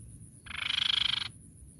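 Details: A grey-cheeked tit-babbler gives one rapid, buzzy trill of about twenty even pulses in under a second, fairly high-pitched, over a faint low background rumble. The call is used as a lure to stimulate other tit-babblers.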